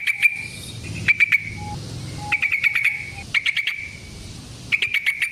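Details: Yellow-vented bulbul fighting song used as a lure: short clusters of sharp, bright chirps separated by pauses, with a faint low hum beneath.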